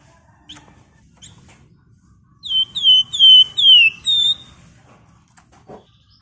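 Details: Two faint chips precede a vigorous flamboyan bird song in rapid 'ngebren rapat' style: five piercing, downslurred whistles in quick series, followed by a brief soft note near the end.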